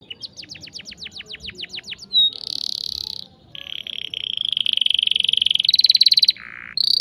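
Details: Canary in full song, played as a lure to teach young canaries to sing: fast rising whistled notes repeated in a quick series, a harsh buzzy burst, then long rolling trills and a lower buzzy phrase.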